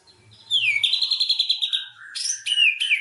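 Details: White-rumped shama song for luring a quiet bird to sing: a downward swoop leads into a steady, rapid, high trill, followed by a lower whistle and harsh, buzzy, high flourishes.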